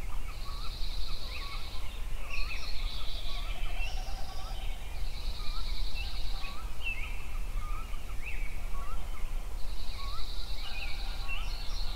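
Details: At sunrise in Yellowstone, songbirds repeat a high buzzy trill roughly every four to five seconds, mixed with short whistled notes and chirps, against a steady deep rumbling background.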